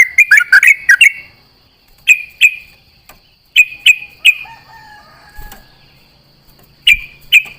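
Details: At dawn, a yellow-vented bulbul calls back and forth with companions in the dew: a quick cluster of bubbly notes, then single or paired liquid chirps spaced a second or more apart over a faint steady high hum.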